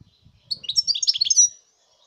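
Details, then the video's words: European goldfinch giving a quick burst of liquid, jingling twitters lasting about a second, with soft low thumps in the background beforehand. "chant chardonneret"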